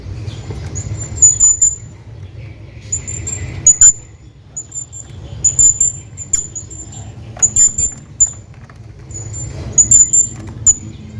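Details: Hanging parrot calling his friend: repeated shrill, thin high squeaks and short whistles, often in clusters of two or three every second or two, over faint low hum.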